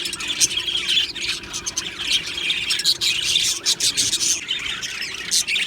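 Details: Happy Australian budgerigars in an aviary colony: bright chirps and scratchy warbling from many birds overlap without pause, with sharp louder squawks breaking through every second or so.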